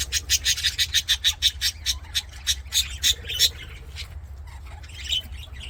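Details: Budgerigars singing and playing in an aviary: a fast run of sharp, scratchy chirps repeated about three times a second for three seconds, then softer scattered twitters over a steady low hum.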